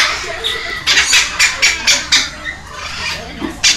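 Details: Two baby red-lored amazons, young captive parrots with wing feathers growing in, begging while being hand-fed at a rescue centre in Heredia Province, Costa Rica, May 13, 2022: harsh, squawky bursts repeated about four times a second, with quiet gaps.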